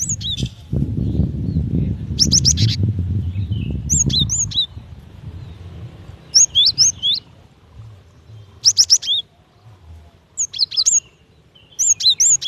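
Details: Female cinereous tit calling its mate: repeated clusters of fast, high, slurred chirps every couple of seconds, with low rumble early on fading to quiet.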